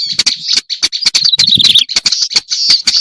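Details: Black-browed reed warbler calling on a recording meant to lure birds: hard, rasping chacks mixed with a thin squeaky warble in the middle, notes tumbling irregularly and densely.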